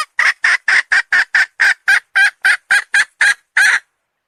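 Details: Hen calling in a fast series of about fourteen short, harsh, even squawks, each near half a second apart, steady and loud, ending abruptly with silence after.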